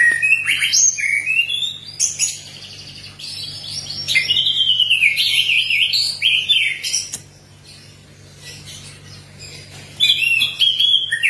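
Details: Energetic orange-headed thrush song used to spur others of its kind to sing: varied bright whistled notes and rapid twittering runs, several phrases a second, dropping to a quieter spell before loud whistles resume; steady low hum beneath.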